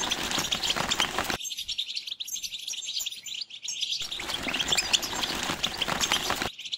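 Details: Mating song of a European goldfinch: dense, rapid twittering and tinkling notes in bursts, broken by a short quieter gap before another twittering run resumes.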